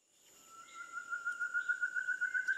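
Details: Ferruginous Partridge at a waterhole hide outside Kaeng Krachan National Park, Thailand: a pure whistled note swelling into rapid repeated pulses that slowly climb, over a constant high insect-like whine.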